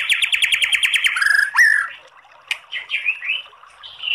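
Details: Kretekan-style song of a white-rumped shama, used to provoke singing; a quick series of about ten clipped repeated notes, then a rising sweep and several short whistled slurs.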